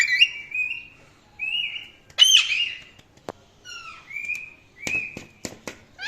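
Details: Indian ringneck parrot, a pet, giving drawn, slightly wavering squawks at a steady high pitch, several separated notes with a few sharp clicks and a rising chirp at the end.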